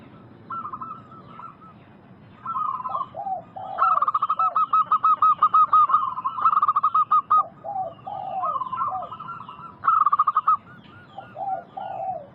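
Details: Local zebra dove singing actively in a lure recording meant to make wild doves answer. Bursts of rapid, repeated staccato cooing notes, mid-pitched with bright overtones, alternate with lower, slurred trilling phrases. Quiet background hiss.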